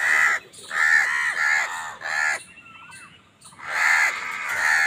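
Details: An angry crow in a food fight with wild birds gives long, drawn-out, hoarse caws, nearly continuous. A brief gap carries a single whistled note from another bird before the cawing resumes.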